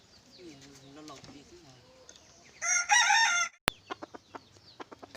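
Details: Large decoy red junglefowl, a wild cock kept for luring, recorded 27 October 2020, giving one loud harsh crow of about a second with strong stacked harmonics. Quiet talking comes before it and sharp clicks and knocks follow.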